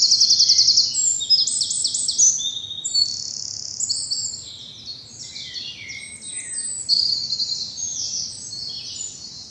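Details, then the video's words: Morning birdsong among bluebells in southern England in spring: opens with a fast rattling trill, followed by continuous high twittering and warbled phrases from overlapping birds. "Birdsong and bluebells in the morning sun"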